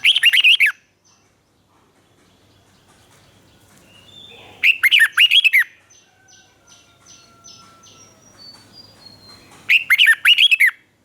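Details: In Thailand, a caged red-whiskered bulbul sings in the southern master style, recorded to rouse and train birds. Three brisk, rich warbling phrases come roughly every five seconds. Thin, faint whistles of other birds sound between them.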